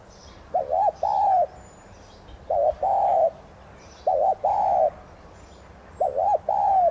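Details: Streptopelia chinensis tigrina decoy dove calling steadily, each phrase a quick double coo followed by a longer level note, four phrases roughly every one and a half seconds, light twittering of small birds in the distance.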